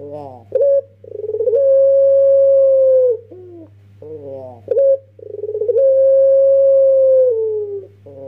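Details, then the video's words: Young Barbary dove singing in the pelung style, kept as a lure bird: a short rising note, then a long steady hum-like coo that begins with rapid pulses and slides down at the end, repeated twice over a low steady hum. "Puter PELUNG MUDA tapi suara JUARA, buat pancingan pasti TOKCER"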